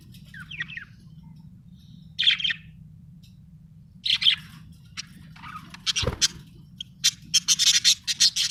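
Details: Happy budgie chirping, scattered high squeaky notes that speed up into a rapid run of repeated chirps toward the end, with one dull thump midway and a faint hum underneath.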